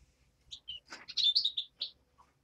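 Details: European greenfinch nestling giving short high chirps and buzzy notes, clustered in a quick burst mid-clip with a few scattered calls before and after.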